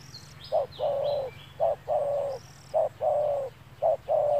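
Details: Spotted dove cooing during trapping with a lure bird in bright, sunny weather. Paired coos, one short and one drawn out, repeat steadily, with brief high chirps from other small birds at the start.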